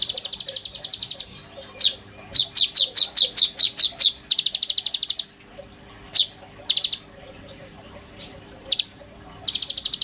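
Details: Oriental magpie-robin kept in a cage, singing tutor material for white-rumped shamas: rapid buzzy click trains alternate with strings of sharp high chip notes and scattered single chips over ten seconds.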